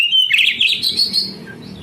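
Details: Brief burst of oriental magpie-robin (kacer) song for stimulating lazy young canaries: a clear whistled note, then a dense buzzy rising phrase that fades, with a faint low hum.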